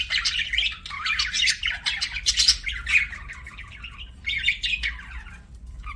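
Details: Budgerigar chirping in buzzy, warbling runs of scratchy notes, a short pause around four seconds, then more chattering, faint hum behind.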